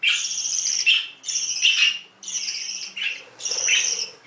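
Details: Canary producing a run of five high, buzzy trilled phrases, each just under a second, some ending in a lower chirp, with short silences between.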